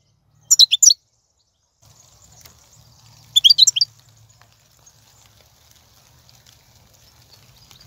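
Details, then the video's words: Wild European goldfinch song recorded in 2019, used to prompt a caged bird to sing: two bursts of bright, rapid, high twittering notes about three seconds apart, with a faint low hum between them. "بتبتة الحسون , (بتبتة برية 2019) , فيديو تحفيزي"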